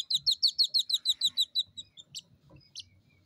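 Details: Three captive two-day-old jungle bush quail chicks in the UK give a fast series of high, thin peeping notes, about a dozen in a row, fading to a few scattered chirps.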